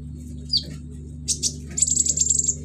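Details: Caged sunbird mimicking crickets, chicks and other birds: a single sharp falling whistle, then a few buzzy notes, then a fast, very high, even trill, over a steady low electrical hum.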